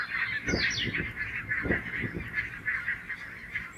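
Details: A flock of grazing barnacle geese on full alert as two red foxes close to within striking distance keeps up a dense chorus of short, yapping barks, with several louder, harsh honks breaking through in quick bursts.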